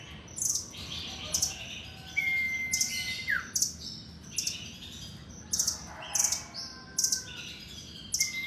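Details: Busy high chirping from a caged nuthatch fed on pellet food, short sharp bursts roughly every second mixed with a long level whistle that drops away at its end, over a low steady hum.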